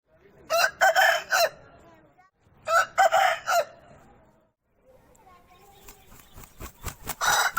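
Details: Aseel rooster crowing: two loud, harsh, multi-part crows about two seconds apart, each broken into several rasping bursts. Sharp clicking and knocking noises follow near the end.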